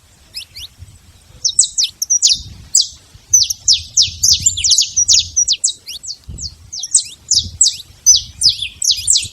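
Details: Wild saffron finch in the open: after a soft start, loud bursts of high, falling chirps come in quick succession, with low thumps and background noise in between.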